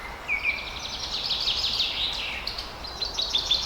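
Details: Blue opaline and parblue opaline pet lovebirds from Pakistan keep up a continuous twittering chatter of squeaky, wavering notes over a steady background hiss.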